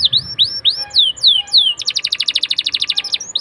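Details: Canary song used as a lure to get young canaries singing quickly: clear descending whistled sweeps repeated about twice a second, then a fast buzzy trill of rapid repeated notes.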